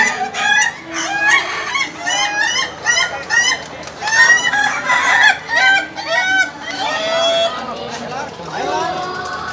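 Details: Laughing chicken roosters crowing at the final of a contest in Indonesia: rapid bursts of short, bright, stacked notes tumbling in quick cackling runs, with several birds overlapping and faint voices of people in the background.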